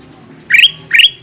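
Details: Ruby-throated bulbul lure call meant to attract wild kutilang emas toward glue traps. Two loud, quick, upward-sweeping notes are spaced about half a second apart.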